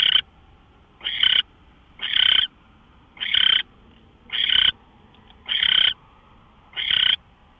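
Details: Owl recorded on March 24, 2013 at 5:27 AM, giving harsh, hissing, broadband screeches about a third of a second long, repeated roughly every second, seven in a row, over a quiet background.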